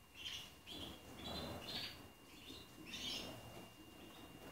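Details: In an Anapa aviary, 2019-bred young male canaries housed with adult tutor males to learn their song: short bursts of high twittering notes come roughly every second, with quiet gaps and soft background noise between.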